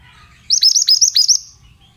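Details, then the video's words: Male Oriental magpie-robin singing a single quick burst of about six bright, high notes, each sliding down with a hooked tail, delivered in under a second against a quiet background. "Terapi Suara Burung Mantenan Bahan Jamin Langsung Nyaut"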